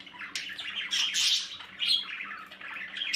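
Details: Budgie chicks in their nest: short bursts of buzzy, scratchy squeaks, loudest near the middle, over a low steady hum.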